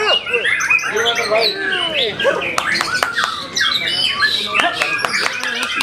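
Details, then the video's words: White-rumped shama kept as a contest songbird, delivering a fast medley of swooping whistles, harsh squawks and sharp chips over a cluttered background of other noise. "Bakat Murai Batu Ini"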